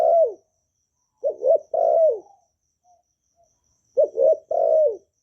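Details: Kept Vietnamese spotted dove cooing cleanly, without background noise, meant to spur freshly kept doves to sing. Repeated phrases of three to four deep coos, a drawn-out falling note closing each, separated by short pauses.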